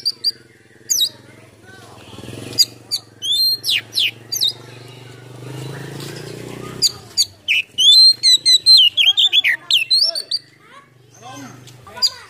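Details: Oriental magpie-robin (kacer) singing a varied song while displaying its open tail: scattered high chips and sweeps at first over a steady low hum, then a dense burst of quick whistled and trilled phrases.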